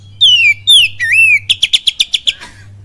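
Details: Oriental magpie-robin song in kapas tembak cililin style: three drawn-out falling whistles, the last rising and curling, followed by a quick even series of about eight clipped notes, with a faint steady hum.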